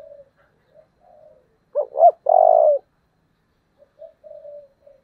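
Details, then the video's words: Spotted dove decoy bird with a very intense 'giọng thổ' voice: quiet low coo fragments, then two sharp, wavering notes and a loud, sustained, mellow coo, followed by softer trailing coos. "cu gáy giọng thổ Thúc rất căng"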